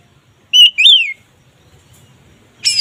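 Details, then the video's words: Oriental magpie-robin (kacer), ngeplong singing for raising mating drive: a short sharp whistle, then a longer whistled note that rises and falls, silence, and a brief harsh note at the end. "Suara BURUNG KACER Ngeplong ini sangat ampuh untuk menaikan Birahi kacer"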